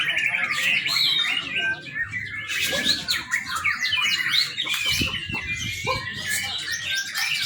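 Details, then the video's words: A young White-rumped shama's song, used as a training lure: bright whistled phrases and quick sweeping notes pour out continuously, some high and squeaky, with a few soft knocks underneath. "murai batu muda. cakep buat pancingan"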